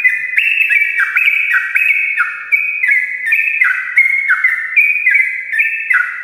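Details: Sooty-headed bulbul in lively morning song, meant to lure lazy birds into singing: continuous clear whistled notes stepping down in pitch, repeated roughly every half second in an unbroken chattering stream.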